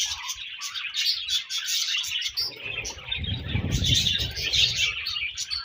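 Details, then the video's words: Budgies in breeding season give a busy, overlapping stream of high chirps and trills. A low rumbling noise rises midway beneath the chatter. "Budgies Breeding Season & Budgies Chirping Sounds"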